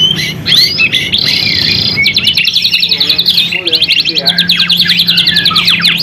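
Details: White-rumped shama; song; used as a lure to stimulate other shamas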